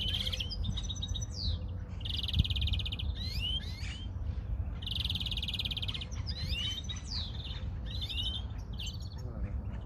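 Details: European greenfinch in full song, long even buzzy trills alternating with sharp rising and falling whistled slurs, repeated in a steady cycle over a low background hum.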